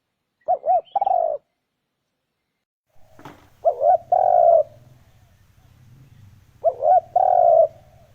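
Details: Spotted dove coos used to lure wild doves. Three phrases of a double coo and a long purring note, about three seconds apart. A sharp click comes mid-way, and a low steady hum runs underneath.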